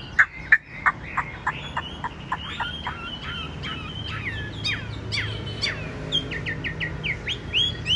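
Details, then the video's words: Tame caged Chinese hwamei with yellow legs and bill delivers a varied medley: sharp clicks and snaps at first, then rapid jumbled whistles and downslurs, finishing with a string of short rising notes. "Chim thuần bộ to giọng hay, chân vàng mỏ vàng"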